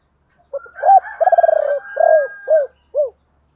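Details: Spotted dove used as a decoy, singing a ba hậu (bổ ba) call to attract wild doves: low cooing notes building into a fast stuttering trill, then two separate falling coos.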